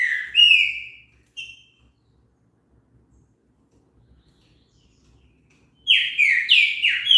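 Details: Green-winged saltator in song meant to encourage another bird to sing: a rising whistled phrase with a short note, a long silence, then a new burst of loud, slurred, downward-sliding whistles.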